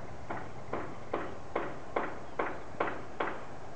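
Water rail giving a series of eight short, harsh, clipped notes, evenly spaced about two or three per second, over a low background hum.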